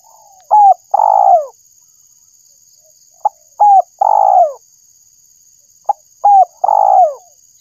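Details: Spotted dove call used to lure birds, three phrases about 2.7 seconds apart, each a short note, a hooked coo and a long coo sliding down, with a faint steady high whine.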